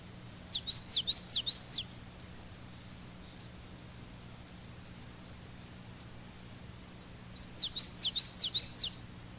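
Common Yellowthroat singing a two-syllable variant: rapid, rolling high phrases repeated in a burst of about five, then repeated after a pause, over a low steady hum.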